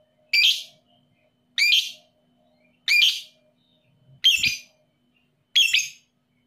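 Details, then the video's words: Lovebird ('paud emosi') calling to rouse other lovebirds that are reluctant to sing: five grating, high squawks at steady intervals of about 1.2 seconds, plus a brief low thump near the fourth call. "PANCINGAN LOVEBIRD PAUD EMOSI"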